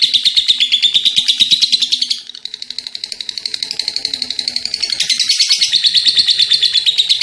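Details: Lovebird giving long ngekek chattering, fast high pulses that dip quieter for a moment, then build back to a loud, continuous rattle.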